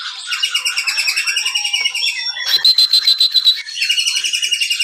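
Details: Caged White-rumped shama singing as a lure for other birds, a continuous rapid, pulsing stream of high notes repeated about three to four times a second, broken by a sharp rattling burst midway.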